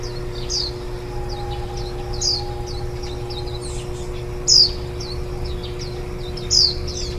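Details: At a white-eye nest in July 2018, parents feed chicks one day before fledging; a run of soft high twitters, punctuated by two sharp, louder falling chirps about two seconds apart, over a constant low drone.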